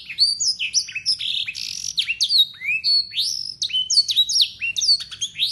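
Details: Local Yorkshire canary delivering long, clear song packed with blackthroat phrases, used to tutor young canaries: rapid, varied sweeping whistles and rising slurs in quick succession, with a faint low hum behind.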